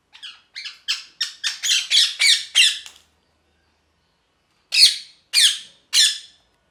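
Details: Parrot repeatedly squawking, about ten harsh rasping calls in a rapid series over three seconds, then after a pause three more loud squawks spaced half a second apart.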